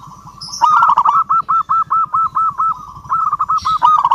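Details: Local zebra dove calling to a rival, a quick string of rounded, bouncing coos about four per second, a short pause, then another burst, over a low pulsing hum.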